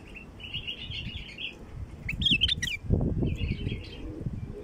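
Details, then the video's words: Bulbul calls used as a lure for wild bulbuls: a buzzy trill, then a quick set of loud, sharply twisting whistled notes, then softer chatter, with thumping low noise. "طياريات بلبل خام لفتح البلابل الوحشية"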